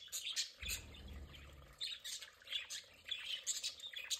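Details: Budgerigars kept as pets, enjoying their play area: lively high twittering and squeaky chirps throughout, with a low rumbling thud near the first second.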